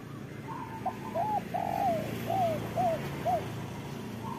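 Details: Local zebra dove cooing, used to coax reluctant doves into song: a slow series of soft, rising-then-falling arched coos against a steady hiss of background noise.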